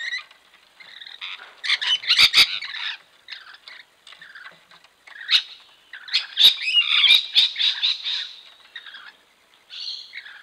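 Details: Rainbow lorikeets (Trichoglossus moluccanus), local wild birds bathing at water, recorded by camera trap: loud harsh screeches and chattering squawks in dense overlapping bursts, with brief pauses between flurries and occasional clicks or splashes.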